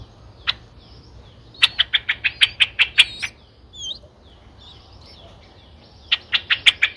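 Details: Streak-eared Bulbul nestlings aged nine days, eyes opened at seven days, in Ubon Ratchathani, Thailand, 11 April 2023: rapid bursts of harsh, clicky chirps in quick runs, a short pause with a few thin whistled notes, then another fast burst.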